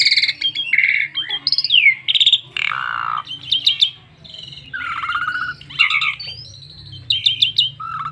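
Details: Asian pied starling singing a full, varied song meant as a lure to get other starlings singing; rich mix of whistled notes, falling slurs, sharp bursts and short chattering phrases, with a steady low hum underneath.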